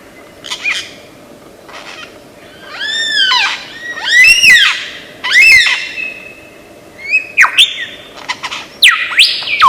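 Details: Lyrebird of Australian forest, known as a mimic, delivering arched, ringing whistled notes that rise and fall, several loud swooping phrases, then sharp upward-sweeping whistles and a sustained tone, against a low steady hum.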